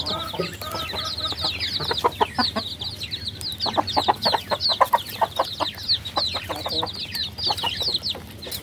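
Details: Baby chickens chirping together, a dense chorus of high, quick downslurred peeps overlapping from many chicks, with some lower, shorter calls mixed in throughout.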